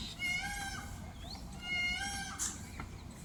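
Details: Indian peafowl at a dance display: two drawn-out, nasal, wailing calls, each about half a second long and rich in overtones, given about a second apart, followed by a brief sharp click.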